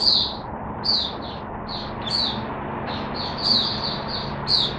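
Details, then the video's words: High, thin warbled phrases from a kept Oriental white-eye beginning to sing, 5 May 2022, the notes spaced unevenly against a faint hum of room noise. "Mata Puteh Hercules V1 buka sing"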